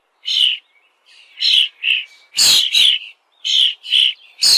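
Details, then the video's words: Short, sharp chirps from a bird come in quick clusters of two or three notes with brief silent gaps between the groups. "The sound of a bird"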